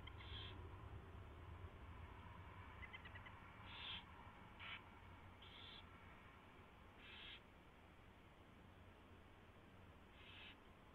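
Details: Owl nest feeding after a mouse delivery, 4:21 AM, 24 February 2016: several harsh, hissing screech bursts of varied length, with a brief ticking chitter between, over steady low-frequency hum.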